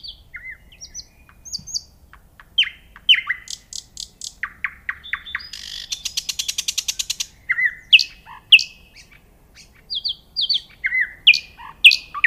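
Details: Nightingale in full varied song: piping whistles, downslurred notes, a long rapid rattling trill in the middle, and bright repeated chips.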